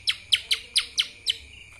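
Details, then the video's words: Short passage of lesser green leafbird kapas tembak song: six loud, crisp chirps, each dropping sharply in pitch, spaced about a quarter second apart. "CUCAK ijo mini Fulll suara KAPAS TEMBAK...!"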